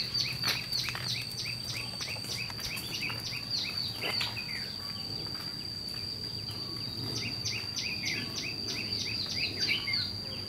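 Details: Red-whiskered bulbul scolding and fighting as a trapping lure. Bursts of loud, jumbled notes give way to long, fast runs of clipped, downward-sweeping notes about three per second, over a constant shrill insect-like tone, with clicks and knocks.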